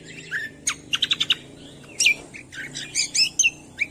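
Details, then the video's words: Training recording of a cucak kombo singing: a mix of quick stacked chirps, a short rattled series of four notes, and bright falling whistles, with a steady faint hum underneath. "MASTERAN CUCAK KOMBO"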